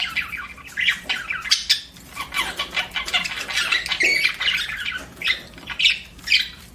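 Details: Pet budgerigars chirping indoors, a busy stream of scratchy warbles and squawky chirps in rapid bursts, several loud peaks near the two-second and six-second marks.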